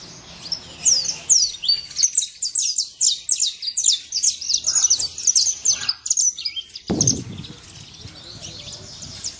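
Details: Saffron finch free in nature giving quick, high, sliding chirps in a lively stream, with a single low thump near the end.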